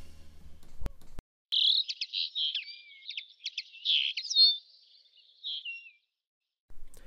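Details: Common linnet (Linaria cannabina), a 13–14 cm finch, call: a quick run of dry, twittering chirps and short nasal trills, with a couple of brief rising whistles near the end.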